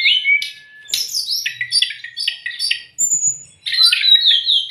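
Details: Brown-chested jungle flycatcher tutor and provoking song for raw or stressed kept birds: varied clear whistles and slurred notes, broken by short pauses near one and three seconds, with fast trilled phrases between.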